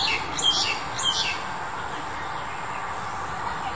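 Black-collared Starling giving two harsh, scratchy calls about half a second apart, then quiet over a steady background hum.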